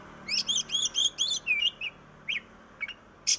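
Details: Oriental magpie-robin song used to prompt other birds to sing: a fast series of five or six looping whistled notes, followed by a falling slur and scattered sharp chirps.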